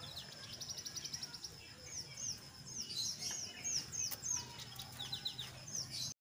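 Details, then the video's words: Brown jongkangan singing ngeriwik and ngeplong as a lure for other jongkangan: rapid high chips and little whistled slurs, repeated several times a second, fairly soft against a steady low rumble. "SUARA BURUNG JONGKANGAN COKLAT NGERIWIK GACOR"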